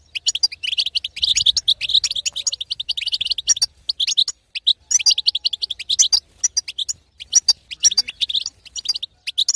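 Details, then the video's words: Calls of a female European goldfinch, the 'batbata' played to make a silent male start singing: long, dense runs of sharp, liquid twitters, broken by a clear gap near the middle. "بتبته حسون تهيج وتهبل الحسون الساكت"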